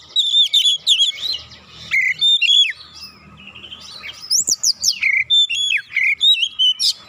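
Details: Oriental magpie-robin singing as a lure for other birds, bright whistled phrases and sharp up-and-down sweeps in repeated bursts, with a soft warbled passage mid-way and a faint low hum.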